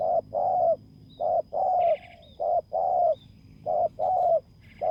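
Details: At a bare-earth lure site, a spotted dove gives paired coos, a short hoot then a longer drawn note, repeated about every second. Light chirps from other birds come in the background while it lures a rival as a decoy.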